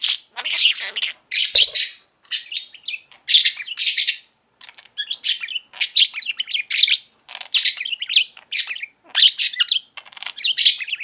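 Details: Male pet budgerigar, five years old, singing and talking after breakfast indoors: rapid, rhythmic bursts of buzzy, scratchy warbling, each lasting about half a second, repeated steadily with brief pauses.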